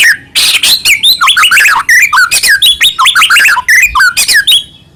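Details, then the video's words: White-rumped shama song meant to stir other shamas into singing, a dense, continuous run of varied whistled notes and slurred chirps delivered in quick bursts for several seconds. "murai batu gacor AMPUH buat PANCINGAN murai batu agar bunyi"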